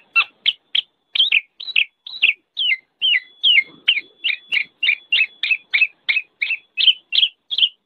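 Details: Black-naped oriole giving a steady run of short, slurred, nasal notes at a brisk, nearly even pace, with a faint continuous tone in the background.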